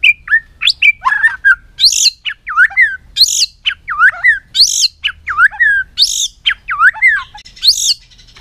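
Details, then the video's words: White-rumped shama repeating a varied phrase: swooping whistles, high harsh squeaky bursts and quick down-slurred notes, cycling roughly every second. "chòe lửa hót giọng dây dài"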